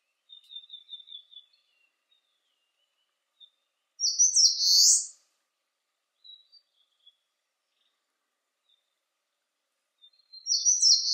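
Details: Eastern crowned warbler song on a clear 19 °C day: a thin trill of high notes, then a loud buzzy burst, repeated about six seconds later, with quiet high chips between.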